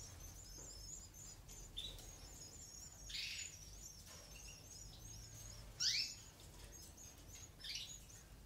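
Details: Goldfinch nestlings in an aviary begging while the eumo-mutation female feeds them; a few loud high rasping bursts over a constant thin twittering of other birds in the background.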